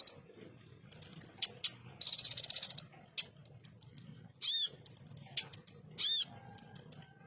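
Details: Ruby-cheeked sunbird used as a tutor recording for other pet birds, with coarse, clear shot-like notes. Sharp, very high chirps and ticks mix with a fast buzzy trill and ringing arched notes, in rapid irregular bursts.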